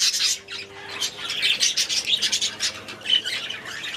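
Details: Budgies in an aviary chattering, pulsing bursts of high raspy chirps and squawks, a faint steady low hum underneath.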